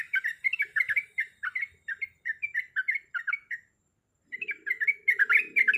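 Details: A female yellow-vented bulbul calls the male in quick, slurred chirps for about three and a half seconds. A short silence follows, then the calls return alongside a brief buzzy rustle.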